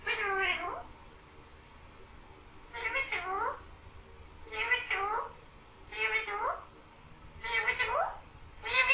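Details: A green parrot repeats "mian mithu" and "meow" six times, each a raspy, meow-like phrase with falling pitch, spaced roughly every one and a half seconds, with low indoor noise between.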